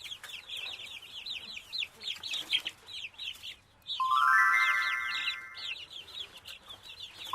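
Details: Chicken chicks peeping in fast, high, arched notes, interrupted midway by a sustained synthetic tonal chord before the cheeping continues.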